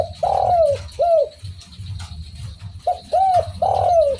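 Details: Spotted dove (derkuku) singing actively: soft, hooting coos, one long falling note followed by a short one, a lull of faint hum, then another run of short and long arched coos.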